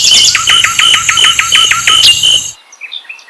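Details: Asian brown flycatcher song played to provoke other birds into singing: a quick series of about eight sharp, high chirps, each dropping in pitch, under a steady high ringing drone that stops abruptly midway, leaving faint twitters.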